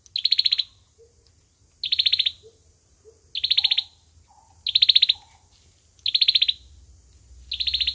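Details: Fighting song of an Olive-backed sunbird, recorded as a trapping lure, with six shrill, fast-pulsed trills about one and a half seconds apart and soft, lower short notes from another bird in the gaps.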